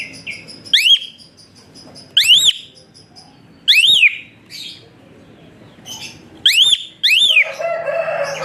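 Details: Whistling of an Asian pied starling, kept to train and stimulate lazy cage birds into song: sharp rising whistles with rough overtones in spaced bursts, separated by pauses of one to two seconds, with faint chirps between.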